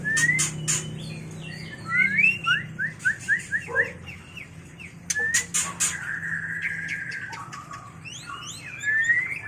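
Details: White-rumped shama singing a mating song for training and luring birds: rapid series of rising whistled notes, a low chuck, a long level whistle, ending in a climbing whistle, with sharp clicks and steady low hum.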